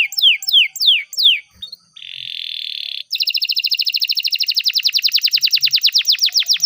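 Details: Canary song used as a tutor recording for young canaries learning to sing: slow downward-sweeping whistles, then a brief buzzy steady note, then a fast rolling trill of rapid repeated notes.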